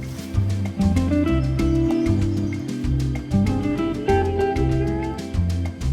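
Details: Strummed acoustic guitar music plays loudly with a steady bass line, and no animal sounds.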